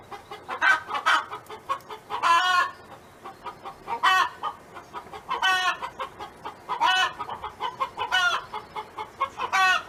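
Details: A neighbor's farm hen sings with a continuous patter of quick clucks and loud, ringing drawn-out squawks repeated every couple of seconds, more than one bird audible.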